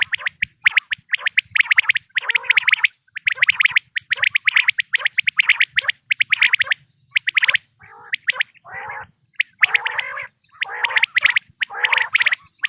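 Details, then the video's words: Quail calling for the 2026 hunting season: long runs of rapid high chirped notes, later broken by lower, rasping, gargled phrases in uneven bursts. "بٹیر کی آواز"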